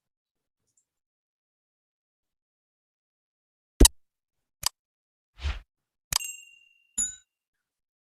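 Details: Nearly four seconds of silence, then a few sharp clicks, a soft thud, a bright metallic ding and a clink, with no animal voice.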